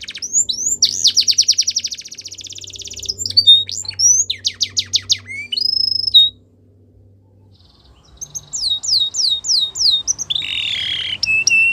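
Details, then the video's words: Belgian canary training song: fast rattling rolls and sharp whistled phrases, a pause of near silence around the middle, then a series of curved slurred notes and a low buzzy trill. "Belgian Canary | The Best Canary Training Song"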